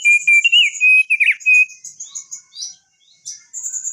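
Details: Long rolling ngerol song of a crested darkeye: loud warbled whistling for about one and a half seconds, then high, thin, chattering notes and a buzzy hiss.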